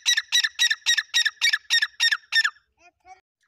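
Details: Grey francolin giving a rapid series of nine harsh, rasping notes at about four per second, then a pause and two faint, softer notes at the end.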